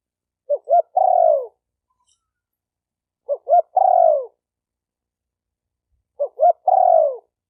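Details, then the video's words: Spotted dove giving three phrases, each two short hooting notes and then a long, smooth coo that slides downward, repeated about every three seconds in a quiet setting. "Tiếng chim cu gáy tập bổi chuẩn nhất chim hay"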